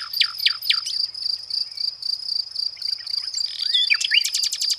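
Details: Nightingale gives three sharp descending notes, then a pause and a jumble of swooping whistles and a quick rattle, all over a continuous insect whine.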